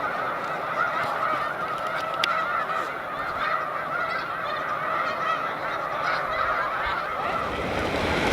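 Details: Snow Geese in big flocks resting on Cayuga Lake, New York, during spring migration on 20 March 2021. Their honks merge into a sustained, slightly rising clamour with scattered sharper calls on top.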